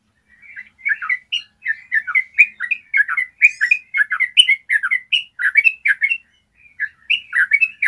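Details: Yellow-vented bulbul in a long, clear trill, used as master song for training bulbuls. Dense string of fluty, warbled syllables delivered rapidly and continuously, with a short pause near the end before resuming.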